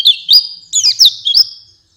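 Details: White-eye lure song for night and morning: a brief series of five bright, high slurred chirps, each rising or dipping quickly, given over under two seconds.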